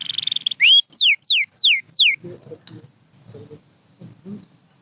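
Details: Pure white canary gives a short buzzy trill and five loud, falling whistled notes in a steady series, then soft low murmuring sounds fill the rest.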